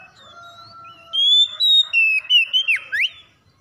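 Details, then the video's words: Oriental magpie-robin song played to coax a reluctant magpie-robin into singing fast: after a faint start, a burst of loud, clear whistled notes and swooping slurred phrases, several rising and falling sharply, over about two seconds. "KACER SUSAH MALAS BUNYI TERPANCING CEPAT GACOR"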